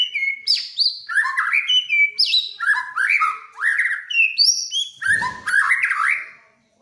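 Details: Vigorous white-rumped shama song, described as prompting other birds to sing: rich whistled phrases alternating high and low, rapid rising slurs and chirps delivered almost continuously, one low thud midway, loud and close.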